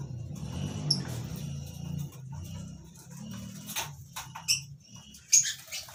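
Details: Lovebirds in a colony cage in the morning while eating vegetables, giving a few short, thin, high chirps scattered over a low steady hum, with soft rustling and clicks between the calls.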